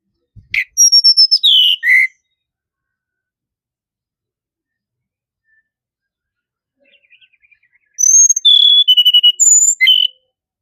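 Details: Two bursts of tledekan gunung song separated by about six seconds of near silence. Each burst is a quick run of bright, high whistles and chirps that alternates thin piercing tones with lower slurred notes.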